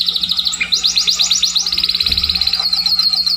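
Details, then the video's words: Scotch Fancy canary trilling quickly on high pulsed notes that speed into a continuous rattle, with some muffled low noise underneath. "kenari scotch fancy atau kenari SF"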